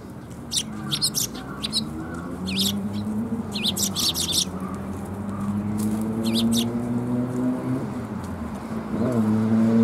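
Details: Sparrows arriving for food at a Tenmangu shrine on 14 March 2021 give bursts of high, clipped chirps early on, while a low rising engine-like drone grows louder toward the end.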